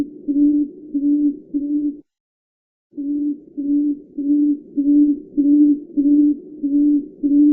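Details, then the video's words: Tawny frogmouth giving a steady run of deep, soft 'oom' notes, each well under a second and evenly spaced, with one brief pause. "Tawny Frogmouth - Bird calls"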